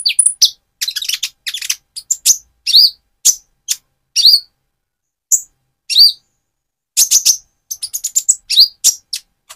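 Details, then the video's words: Spotted-plumage Van Hasselt's sunbird used to provoke another sunbird; bursts of high, sharp, scratchy notes and short downslurred chirps, in spaced phrases with a few pauses. "Burung Konin trotol gacor untuk pancingan menaikan mental emosi kolibri ninja"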